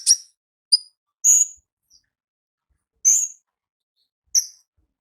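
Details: Scattered thin, very high chirps from a wild olive-backed sunbird in ngalas song, five short separate notes with long silent gaps between them.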